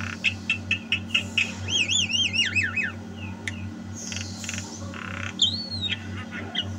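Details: Javan myna singing: repeated short ticking notes, a wavering looped whistle, then scattered squawks and a long upward whistle, softer overall with a low background hum.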